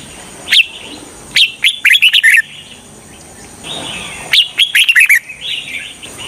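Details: A red-whiskered bulbul decoy meant to lure wild birds for trapping repeats sharp single chirps and quick rollicking phrases of four to six whistled notes, with softer warbles trailing between phrases.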